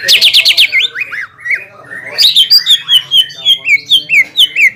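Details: Greater green leafbird singing to goad a rival bird: a quick stack of high chattering notes opens, then slurred descending whistles repeated roughly three times a second in an even, ringing series.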